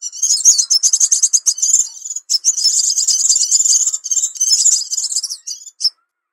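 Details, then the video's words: Crimson sunbird lure recording: fast runs of sharp, high, ticking chirps that run together into a continuous twittering trill, pausing briefly mid-way and ending with one clipped note. "Suara Pikat Burung Sepah Raja"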